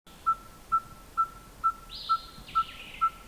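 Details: Red-fronted tinkerbird singing with its beak closed, throat inflating: a steady series of short, pure, hollow notes at one pitch, about two per second, like a hammer on an anvil; brief higher bird calls overlap near the end.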